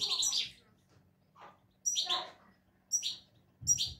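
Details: Good-singing European goldfinch in 'şak şaklı' style, unbroken song: four bright, high chirped phrases, each a sharp whistled note sliding into a buzzy twitter, spaced about a second apart in a quiet room.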